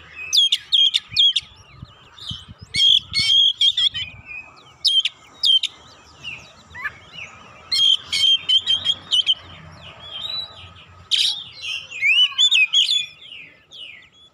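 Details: Kacer, or oriental magpie-robin, singing as a lure to make other birds sing. A long, restless song of sharp clicking bursts, whistled slurs and warbled phrases. Loud clusters come every second or two, with brief pauses between.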